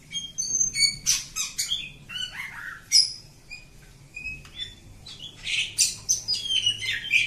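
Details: Oriental magpie-robin, village bird, in continuous song: clear high whistles alternating with harsh squawky bursts, chirps and slurred notes, with a faint low hum behind.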